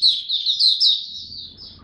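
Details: A captive white-eye whose progress and maturing are being studied, recorded 9 February 2022, gives high, rapid twittering: a quick run of thin, slurred notes for under two seconds, with a faint low background rumble.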